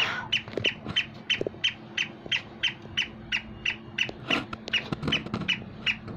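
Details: Black francolin (kala teetar) calling in a quick, slightly uneven train of sharp high notes, roughly three per second, with scattered clicks and low knocks in the background.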